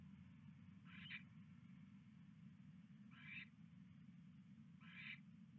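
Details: Owl sitting on a nest tray before flying off at 3:40 AM, February 3, 2016; three short, rasping hissed screeches about two seconds apart over a steady low rumbling hum.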